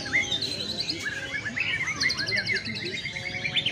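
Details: White-rumped shama singing during a sunning session meant to open up its voice and bring out its learned repertoire; quick high whistled phrases, rising and falling slurs and buzzy chatter, overlapping notes from other birds in the background.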